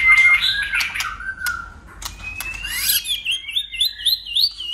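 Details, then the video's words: White-rumped shama in competitive song, tail-flicking and changing voices continuously: a harsh noisy opening, then long level whistles and a fast rippling, rising series of high notes at the end. "Chòe lửa hót đấuđập đuôi đảo giọng liên tục!. cực bền.chòe lửa hót nhiều giọng | murai batu"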